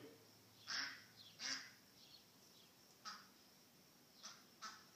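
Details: A lost duck calling: faint, harsh, broad quacks come at uneven intervals, about five in five seconds, over a steady background hiss.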